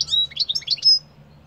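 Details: Short goldfinch song phrase: a bright rapid twitter of high chirps ending in a drawn-out thin whistled note, then silence apart from a faint low hum.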